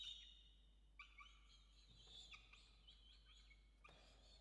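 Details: Wild peregrine falcons feeding a chick at their nest, Orange, Australia, on an evening in November 2021; a thin, high squealing call is followed by a run of harsh, wavering screeches, with faint hum beneath.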